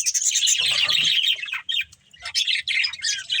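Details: Budgerigars of a breeding pair chirp in fast, twittering bursts of high scratchy notes, with a short quiet gap midway and faint low thumps.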